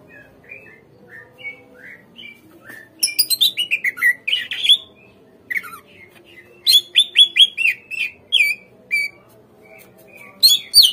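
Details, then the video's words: Lure recording of greater green leafbird song to spur untrained captive birds to answer and sing: quiet whistled notes, then repeated bouts of rapid, loud chips and falling swoops separated by short gaps. "PANCINGAN SUARA CUCAK IJO"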